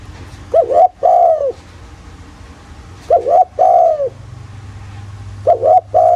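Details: Spotted dove lure call in the thổ style: three phrases spaced about two and a half seconds apart, each a double stuttered note followed by a drawn-out, gently falling coo, against a low hum.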